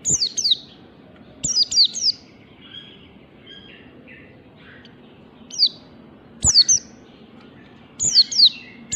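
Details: Oriental white-eye giving its morning 'ngalas' song, used to train other birds: clusters of two or three shrill, downslurred high whistles, separated by quieter lower chirps and short gaps.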